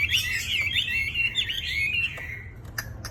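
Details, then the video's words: Wambi in lively song: rapid, twisting high whistles and chattering notes packed closely together, fading into a few sharp clicks at the end over a faint low hum. "WAMBI GACOR"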